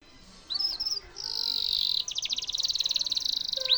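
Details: Canary song offered as a model for training White-rumped shamas: a high whistled opening note, then a long buzzy held tone, then a fast rapid trill of repeated chirps ending in a rising note.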